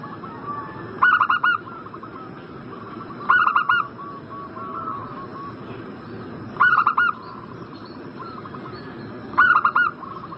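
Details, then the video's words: Zebra dove cooing played to provoke a bird in breeding condition into answering: four bursts of quick, rolling staccato coo notes, each lasting under a second and repeated roughly every two to three seconds, over constant hissing noise. "Pancingan burung perkutut Agar Cepat Nyaut gacor Juaranya pancing birahi langsung nyaut emosi"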